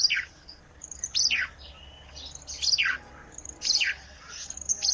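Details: Energetic Olive-backed tailorbird song used as filler: thin high whistles followed by steeply falling chirped notes, repeated in about four phrases with short gaps, against a quiet low hum.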